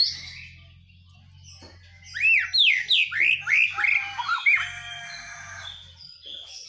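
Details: Singing hard during morning dew-airing, a white-rumped shama delivers a fast run of loud arched whistles, about eight looping notes in two seconds, then softer trailing phrases over a faint low hum.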